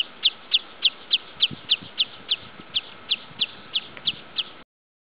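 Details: A breeding wood sandpiper on the Wrocław irrigation fields, 8 July 2013, gives about fifteen sharp, high chip notes, roughly three per second, over a faint steady hum and a few soft low thuds.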